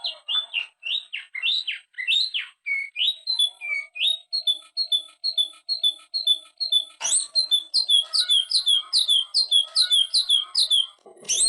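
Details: Greater green leafbird (cucak ijo), a Masteran training recording in the gacor ngentrok full isian style: rapid, varied whistled and slurred phrases, then a fast run of repeated rising notes, about two per second, loud and clean.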